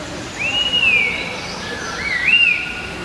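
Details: Red-winged laughingthrushes exchanging song, a species native to China and Vietnam. One long wavering whistle rises and falls, and a shorter rising whistle follows about a second later, over faint background hiss.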